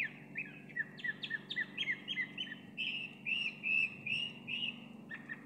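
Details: A chalk-browed mockingbird, apparently an old bird, sings a rich, varied run of short whistled and chirped phrases, quick at first and then slower, over a steady low hum.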